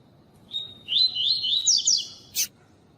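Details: Coleiro (double-collared seedeater) singing the tui tui song style, used for training and pairing with a female. A steady high whistle leads into a run of rapid rising slurred notes and a sharp click.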